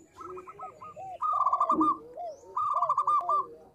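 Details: Local zebra dove, described as a female calling the male and used as a lure sound, giving rapid staccato cooing trills of short clipped notes, in two loud bursts separated by softer curved cooing notes.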